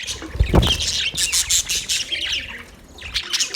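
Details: Flock of budgerigars in a colony setup chattering: continuous high twittering and buzzy chirps, with a couple of dull low thumps near the start and a quieter stretch before the chatter resumes.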